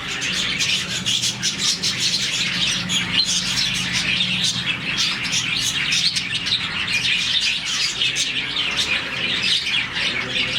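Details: About 40 budgies in a colony chirping happily in the morning; dense, continuous twittering and quick high chirps from many birds, with a faint low hum underneath.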